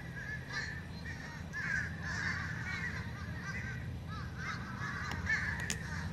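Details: Several fish crows in a noisy racket, short nasal caw notes crowding over one another in bursts, with a constant low droning hum and a couple of sharp clicks near the end.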